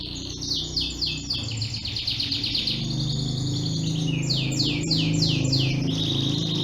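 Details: Green canary (kenari) from Yogyakarta, Indonesia, singing a fast song of repeated descending sweeping notes, about four per second, over a steady trill, with a constant low hum underneath.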